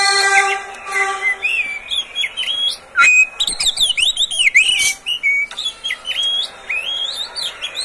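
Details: Caged Oriental magpie-robin belonging to the recordist, song used to encourage other birds to sing; continuous rich medley of looping whistles, buzzy notes and rapid chirps with brief pauses.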